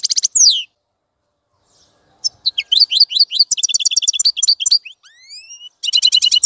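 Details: Goldfinch twitter: a short burst, a pause, then quick chirping phrases, a few rising drawn-out whistles and a closing buzzy trill.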